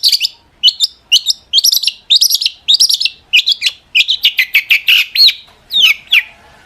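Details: Long-tailed shrike in excited song, played to make other shrikes respond: a quick series of short high chirps in small clusters, then a run of downslurred whistled notes near the end.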